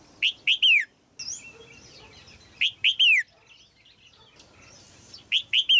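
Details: Caged female red-whiskered bulbul singing to stimulate an adult male. Three phrases, each of three loud, arched, whistled notes, are repeated roughly every two and a half seconds, with faint chirps between them.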